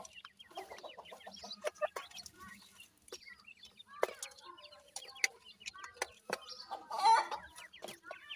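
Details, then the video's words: Irani teetar chicks, young grey francolins, call in scattered thin chirps that slide downward, overlapping one another, among occasional knocks and light rustling. "teetar kay bachy ki awaz,Irani Teetar ka bachay"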